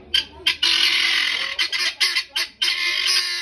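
Guinea fowl cackling in harsh, rasping bursts, short and chattering, then drawn out into long grating screeches, loud and high.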